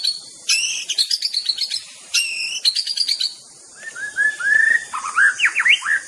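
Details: White-rumped shama (murai batu) song opening with harsh, rapid chattering bursts, then shifting to softer rising whistles and a series of quick swooping notes that drop and rise again.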